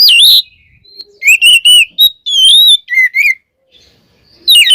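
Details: Oriental magpie-robin in full song, used to provoke other magpie-robins into singing: loud, warbled whistles and clear slurred notes in bursts, separated by quiet pauses, ending on a rising high phrase.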